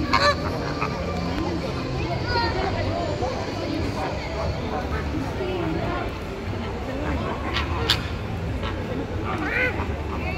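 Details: A flock of greater flamingos on display near the dolphin show area at Sea World Abu Dhabi in September 2023 keeps up constant goose-like honking and gabbling, with many overlapping nasal calls and faint human voices behind.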